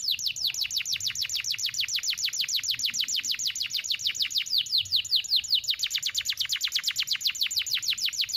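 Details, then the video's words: Long canary song in one breath with sharp bursts, used to tutor juvenile canaries. Dense, quick trill of high descending notes with a brief change of phrase midway, otherwise unbroken. "KENARI GACOR NEMBAK TAJAM , DURASI PANJANG SATU NAFAS || CUIT CUIT MASTERAN KENARI PAUD AGAR BUNYI"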